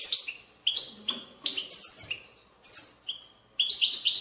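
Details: European goldfinch babbling song meant to spur other goldfinches into singing: short clustered phrases of bright, sharp chirps and trills, each burst under a second, with brief silent gaps between them.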